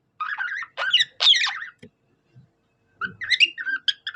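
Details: Budgie singing like a cockatiel: two bursts of fast, warbling chatter with rising squeaky notes, separated by a quiet pause with faint soft clicks.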